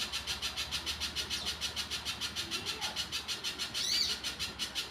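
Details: Actively singing wild little spiderhunter: high, scratchy notes repeated steadily at about three per second throughout, with a brief louder slurred note near the end.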